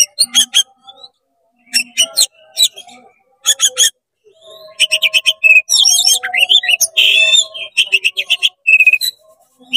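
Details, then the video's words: Oriental magpie-robin in quick 'konslet' song aimed at making rival magpie-robins agitated: clusters of sharp chips, then a dense buzzy, rasping stretch mixed with whistled phrases, over a faint steady tone. "CEPAT GACOR BUKA EKOR DONGKRAK EMOSI KACER KONSLET BIKIN KACER LAIN PANAS"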